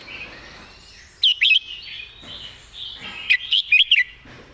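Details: Red-whiskered bulbul kept as a song-tutor bird, praised for clear phrasing and good song style, gives two loud, quick phrases of three to four bright warbled notes, with softer birds chirping in the background.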